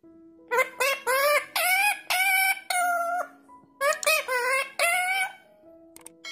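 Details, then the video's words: Pet parrot singing "Happy Birthday to You": clear tonal voice-like syllables in a sung melody, grouped into short phrases with brief pauses between them, and a faint steady tone in the background. "Happy birthday to you by Talking Parrot"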